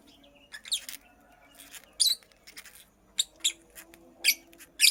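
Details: Short, squeaky, scratchy chirps from a nesting female purple lovebird, scattered irregularly with quieter ticking notes between louder calls.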